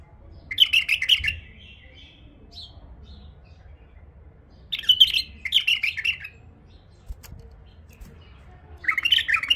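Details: Tame female bulbul delivering three lively warbled phrases roughly four seconds apart, each a rapid run of bright, slightly buzzy chirps, with a few isolated soft notes and faint room hum in between.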